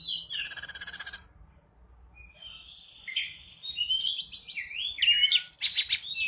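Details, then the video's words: Sunda robin singing busily, used as a lure bird: begins with a fast metallic buzzing rattle, a short pause, then a tumbling string of varied whistled phrases ending in another buzzy burst. "burung tledekan gunung gacor cocok buat pancingan"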